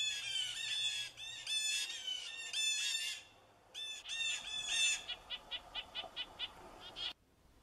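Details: Blue Jay jeer calls: loud, harsh, nasal, non-musical jeers in rapid overlapping bursts, ending in a quick run of about eight short clipped notes. Such calls serve for contact, flocking, threat alerts and gathering jays to mob predators.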